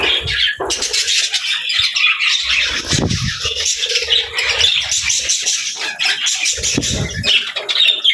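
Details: Happy budgies fill the air with thick, high chattering and squeaky chirps, many voices together, interrupted by a few low bumps and rustles.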